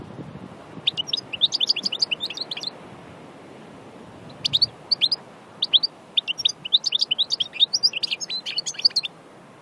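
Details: A European goldfinch from Aïn Barbar, Annaba, in the wild, sings in quick bursts of bright, tinkling twitters and high liquid trills, pausing briefly between phrases against a quiet background.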